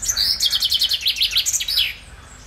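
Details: Chaffinch song recorded 15 June 2020 alongside frogs: rapid repeated sweeping notes falling in pitch, accelerating to a rattling close with a final flourish, lasting just under two seconds.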